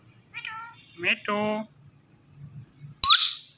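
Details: Indian ringneck parakeet, a talking pet, producing short harmonic speech-like syllables with mimicked words, a brief buzzy two-part phrase, then a sharp rising whistle near the end; faint low hum underneath.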